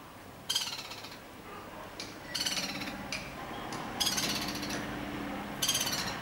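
A Black-rumped Flameback gives four harsh, rapid rattling bursts, each under a second and repeated about every two seconds, over a low background hum.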